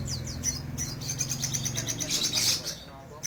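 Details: Crimson sunbird in vigorous song, a quick series of thin high ticking notes and swept chirps, with a low droning hum underneath.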